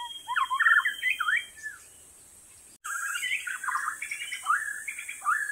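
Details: White-rumped shama in full song in the wild: quick, varied, melodious phrases of looping whistles and chattering notes, briefly interrupted by a cut, then another rapid string of warbled phrases.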